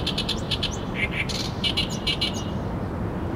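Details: Oriental reed warbler singing vigorously at the waterside of the Arakawa River in Tokyo: harsh, chattering repeated notes in quick uneven phrases, some higher squeaky accents, over a steady low background rumble.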